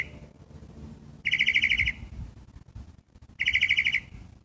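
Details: Gray catbird giving two short, rapid rattling bursts, each under a second long, of harsh, evenly pulsed chatter with a strong buzzy edge, separated by about two seconds of quiet. Faint low rumbling sounds underneath.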